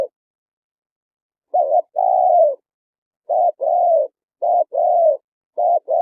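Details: Spotted dove song played as a trap lure for wild birds: four mellow two-part phrases, a short wavering coo and a longer falling coo, repeated about every second after an initial pause.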